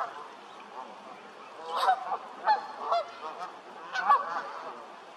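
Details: Canada geese, a few strong nasal honks clustered in the middle and again near the end, set against a constant bed of quieter goose chatter.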